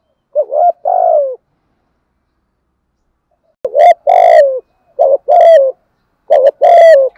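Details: 'Thổ'-style spotted dove coo played to provoke wild birds into cooing: four loud phrases of short and drawn-out hoots. The later phrases sound harsher and buzzier, with long gaps between them.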